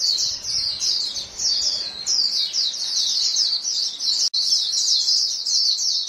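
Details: White-eyes in a flock calling to one another: overlapping high, tinny chirps form a nonstop, jittery chatter, with a brief sharp dropout past the four-second point.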